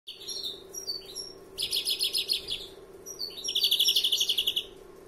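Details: First-year European greenfinch singing in the long-phrased larguero style: rapid trills of repeated notes, higher buzzy rattles and short descending whistles in bursts, over a steady low hum.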